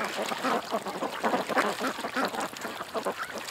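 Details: Many ducks gathered at a creek give rough, raspy quacks in quick overlapping bursts, steady and loud across the short stretch.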